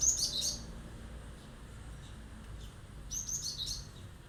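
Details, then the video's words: Cinereous tit in full, lively song, delivering sharp bursts meant to provoke other birds into answering: two short clusters of high, piercing chirped notes about three seconds apart, with quiet background hiss between them. "tembakan tajam glatik batu gacor bikin emosi burung yang mendengar"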